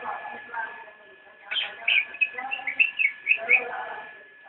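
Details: Nyinden-style singing from a cicak rowo (Javan white-eye): a quick string of high, clear, bouncing chirps after a softer murmur, backed by a continuous low electronic tone.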